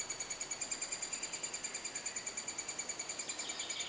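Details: Estonian three-toed woodpecker in nesting season, near a cavity it carved in soft old wood. Rapid, steady series of high, ringing pulses, about three per second, evenly spaced and continuous throughout, over light background hiss.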